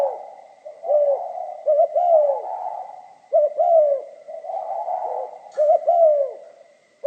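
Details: Spotted dove cooing in the 'giọng pha kim' manner, deep rounded phrases of two clipped notes and a falling drawn-out coo, recurring roughly every two seconds; faint constant high whine.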